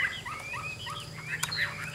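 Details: Caged Chinese hwamei with a yellow beak singing a rich run of clear whistled phrases, with quick rising and falling slurred notes and varied short trills crowded together, over a steady low hum.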